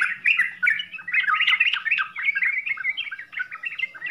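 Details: Short burst of Yellow-vented bulbul 'full isian' song: loud bubbly warbled notes, a bright flurry in the middle, then quicker chirping phrases, faint low hum early on.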